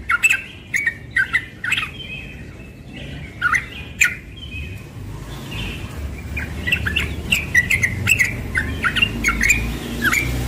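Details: Young yellow-vented bulbul singing in the morning: short bubbly whistled phrases around mid pitch, scattered bursts with pauses, a low rumble of background noise underneath.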